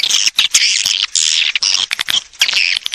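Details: Swiftlet lure sound meant to call swiftlets in to roost: continuous dense, buzzy high twittering and squeaking chatter, broken by a few brief gaps.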